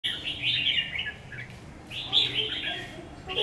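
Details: Newly acquired decoy red-whiskered bulbul being tested: two bright warbled phrases, fluttering and slurred between high pitches, separated by a short pause, with faint background hum.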